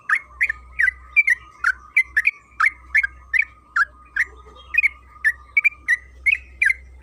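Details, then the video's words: Yellow-vented bulbul (trucukan kebo) in full extended song, a lure for prompting bulbuls to sing: quick series of gurgling, slightly rising chirps, irregularly spaced, accompanied by an unbroken faint tone and a low background hum. "Pancingan trucukan agar bunyi‼️Suara burung TRUCUKAN KEBO Gacor ropel Panjang"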